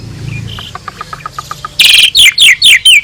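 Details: Asian pied starling master song for training other birds: a soft series of quiet ticking notes, then five loud, buzzy, descending chirps repeated about every quarter second.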